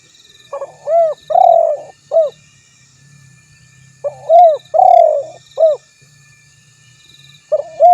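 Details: Spotted dove, recorded for luring rivals: loud cooing phrases near 600-700, each a short rising-falling coo, a longer drawn coo, then a brief final note, repeated about every three and a half seconds; faint high insect hum behind.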